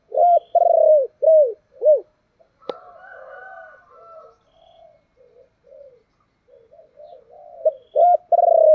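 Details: Thổ-style song of a spotted dove, urging and calling. It opens with a loud phrase of repeated arched coos, then a sharp click and low murmured cooing, and another loud phrase starts at the end.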